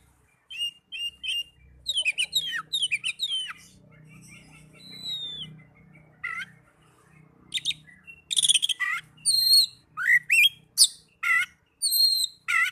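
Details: Oriental magpie-robin song serving as therapy for young birds or ones that have gone silent: quick runs of high chirps, a quieter stretch, then loud slurred whistles, buzzy bursts and level whistled notes in a lively sequence.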